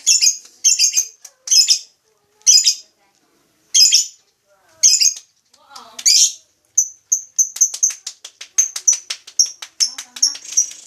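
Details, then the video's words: Lovebird calling in spaced harsh squeaky bursts, then switching to a fast run of thin, sharp chips repeated several times a second. "Suara burung lovebrid"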